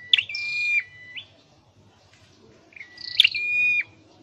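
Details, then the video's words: Caged Scarlet-headed flowerpecker practising song, two phrases about two and a half seconds apart, each a sharp high chip followed by a long level thin whistle ending in a dip. "Deep red-headed birds(Dicaeum Trochileum): Birds thoroughbred training for singing chirped"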